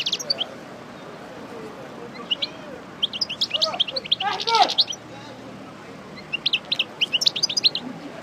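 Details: European goldfinch of the parva subspecies, a pairing bird just out of moult and going over its song again: bursts of high, bright twittering notes with quick slurred chirps, a pause mid-clip, and a softer lower sound between.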